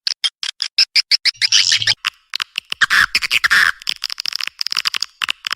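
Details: Swiftlet response call: a quick series of sharp high chirps, mixed in the middle with lower rasping buzzy notes, then more rapid chirping.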